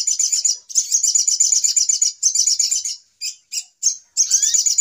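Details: High, buzzy chatter of a little spiderhunter, used to lure birds into traps: long rapid runs of notes, then several brief separate bursts and a rising whistle near the end.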